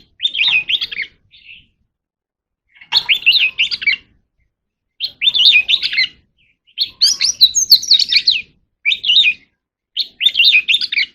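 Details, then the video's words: Oriental magpie-robin singing in contest: repeated bursts of fast, busy warbling about a second long, separated by brief silences. "kacer alam | chòe than hót sung quá | chòe than hót đấu I Oriental Magpie Robin เสียงนกกางเขนบ้าน"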